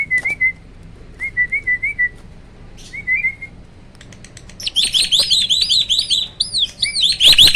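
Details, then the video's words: A caged hybrid starling, whose voice is mostly that of the Asian pied starling, delivering "roll tembak" tutor song. Short whistled phrases lead into a fast, piercing series of high rising squeals. "BURUNG JALAK HYBIRD || GURU VOKAL SUARA ROLL TEMBAK."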